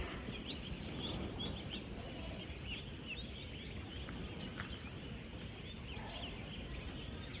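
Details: Ten-day-old ducklings on a duck farm, some 16,000 birds interacting: a constant wash of shrill peeping over heavy low-pitched background noise, with occasional sharp clicks.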